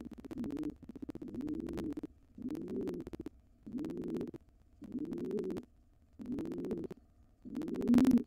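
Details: Wild pigeon pair intruding into a nest box after the resident pair's nestling fledged. Deep, rolling coos come in regular phrases about every second, separated by short silences, with a louder knock near the end.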